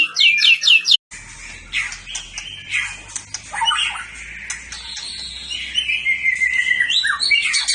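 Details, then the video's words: Champion competition white-rumped shama singing a varied run of high whistles, chirps and slurred notes, with a brief break near the start and a long, level whistled note near the end over a low background hum. "Kumpulan Tembakan Murai Batu juara"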